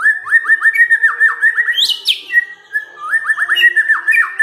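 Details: White-rumped shama song used as a lure to provoke idle birds into singing: rapid series of clear whistled notes near the same pitch, repeated in quick runs, broken by a brief high buzzy burst mid-phrase.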